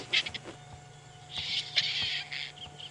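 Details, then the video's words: A recorded White-backed Vulture call, played quietly at sunset on a South African safari drive near vultures, gives harsh, breathy hisses: two short bursts, then a longer rasping hiss of about a second, over a low engine hum; its typical nasty hiss. "That's the white back. That's the sound you normally hear."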